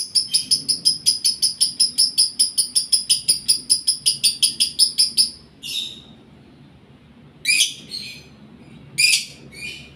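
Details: Lovebird in breeding condition gives a rapid run of high, clipped chirps for about five seconds, then pauses before several harsher, scratchy squawks.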